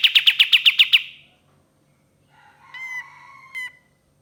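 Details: Ashy tailorbird lure song: seven fast, loud chipping notes in a tight burst, then after a pause softer drawn-out whistled calls with two short sharp accents.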